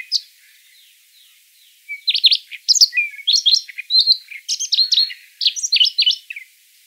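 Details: Siberian rubythroat singing on a trapping lure: after a faint opening, a dense four-second stream of sweet whistles, rapid trills and scratchy notes, delivered in quick, uneven bursts.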